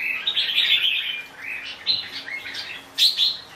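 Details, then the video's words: Red-whiskered bulbul giving a lively chattering, whistled phrase, then a pause and two sharper, higher notes near the end. "Chào mào bông"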